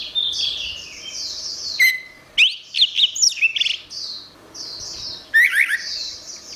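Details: Orange-headed thrush song used as training material for songbirds: high scratchy chatter broken by loud whistled notes and steep downward slides, with a fresh burst of twisting notes near five and a half seconds.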